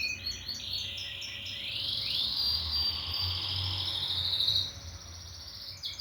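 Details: Singing canary with short repeated notes leading into a long, loud, rolling trill that sweeps upward and holds steady, then fades to softer repeated notes near the end; steady low background hum.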